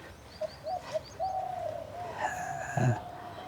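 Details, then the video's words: Dove calling in the vegetable garden of a bamboo resort at Rupganj, Narayanganj, Bangladesh, described as very beautiful and sweet; a soft, low, drawn-out cooing note, with faint high chirps from other birds early on and a brief knock near the end. "আপনারা বোধহয় শুনতে পাচ্ছেন ঘুঘু পাখির ডাক।"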